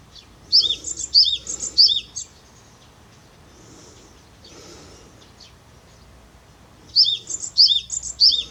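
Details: Japanese tit singing in 2021, phrases of a sharp high note falling to a lower note repeated in quick runs of three or four, a pause of several seconds between runs, faint low rumble behind.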